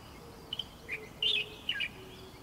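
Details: Light-vented bulbul in a brief, loud burst of scratchy, chattering high notes, a few quick syllables bunched together.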